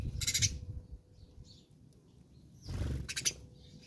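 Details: House sparrows fighting in South Africa: two short bursts of harsh, rapid chirps, one near the start and another about three seconds in, with low rumbling background noise between them.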